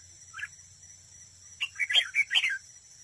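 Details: Decoy red-whiskered bulbul singing in a contest at a trap. A single chirp is followed by a loud, fast run of rich warbled whistles lasting about a second. A faint high hum persists.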